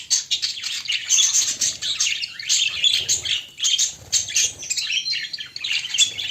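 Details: Budgies presented as a loving pair give busy, fast warbling chatter: overlapping scratchy chirps and rasping notes, almost without pause, with faint wing or movement sounds beneath.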